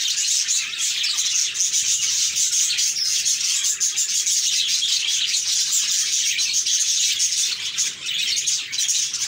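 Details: Several happy budgies chirping together, an unbroken wall of fast high twitters and warbling notes sustained for the whole stretch at even loudness.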